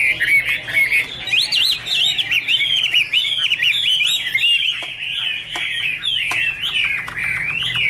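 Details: Chinese hwamei singing a long, loud run of varied whistled phrases, sweeping up and down with quick trills and slurred notes, continuous and rich, with faint clicking in the background.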